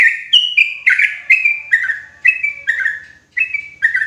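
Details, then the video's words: Sooty-headed bulbul, a loud, clear lure sound used for trapping bulbuls in forest: short bright chirping notes, each dropping slightly, repeated in a quick uneven series of about nine over four seconds. "SUARA PANCINGAN TRUCUKAN KERAS JERNIH COCOK UNTUK PIKAT TRUCUKAN DI HUTAN"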